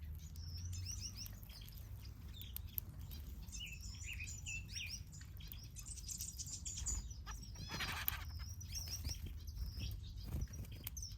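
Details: Finches in an aviary: many high, short chirps and twittering notes overlap in a busy chorus. A louder burst of sound comes near the middle, over a steady low background hum.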